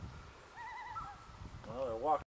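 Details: Juvenile common loons in Algonquin Park, 2018, practising their calls and take-offs, give a short wavering, tremulous call, then a rougher quavering one that rises and falls, over a faint background hiss.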